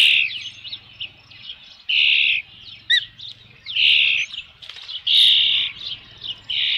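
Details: At a ranch nest on 3 June 2018 near 5 PM, an Osprey with a fish gives sharp, high whistled calls lasting about half a second, spaced one to two seconds apart, with quieter notes between and a low background hum.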